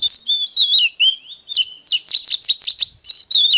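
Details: Oriental magpie-robin, a caged training bird, singing in a provoked, agitated style: loud clear whistled phrases, some sliding downward, mixed with rapid sharp chirps in quick bursts, no other sounds.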